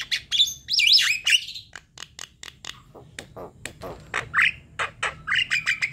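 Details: A Javan myna sings as a lure for other birds: squeaky warbled whistles open the phrase, followed by a long series of dry clicks and harsh rasps, with short buzzy whistles closing it.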